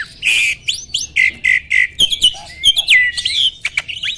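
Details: Male Asian pied starling, adult and in breeding condition, pumping during song: evenly spaced slurred whistles, then sharp clicks and a long clear whistle falling away, ending with scratchy notes.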